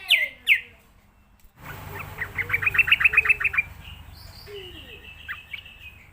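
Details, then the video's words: Sooty-headed bulbul lure recording for training young birds: two loud opening notes, a pause, then a rapid run of about ten crisp, repeated notes, followed by thinner higher calls and a low hum. "suara pancingan trucukan belajar bunyi | untuk terapi dan masteran burung trucukan bakalan"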